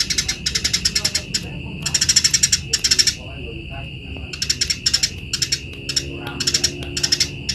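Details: Eurasian tree sparrow in energetic, nonstop chirping, meant as a tutor recording for other birds: bursts of rapid, dry, high chirps at about fifteen per second, broken by short pauses, over a steady thin high tone.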